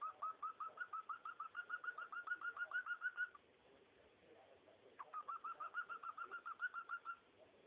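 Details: Cockatiel song as a long rapid run of short rising chirps repeated several times a second for about three seconds, a brief pause, then a second similar run.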